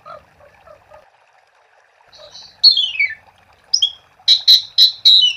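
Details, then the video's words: Asian pied starling in vigorous song, used as a lure to prompt other starlings to sing: faint scattered notes, then loud descending sweeps, a high whistle and a run of repeated buzzy bursts near the end. "Suara Jalak Suren Gacor untuk Pancingan"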